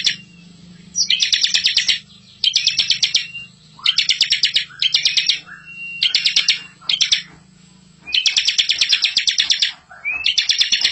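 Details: Bar-winged prinia; song; master song for training young birds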